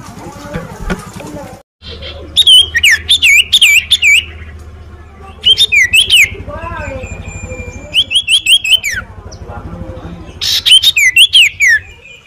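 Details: Common iora (cipoh), hailed as a stage champion: four bursts of loud, sharp whistled notes, each a quick run of rising and falling slurs, separated by short pauses, over a steady low hum and faint background chatter.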